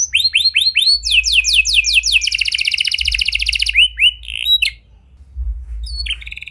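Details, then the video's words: A canary in vigorous song with a unique phrasing style, meant as bait for silent canaries. Curved whistled sweeps repeat rapidly, then a dense buzzy trill follows. The song breaks off into short notes and a near-quiet ending. "Buat Kenari Macet Anda Respon Dengan Suara Pancingan Kenari Gacor Ini! Kenari Gacor Cengkok Unik"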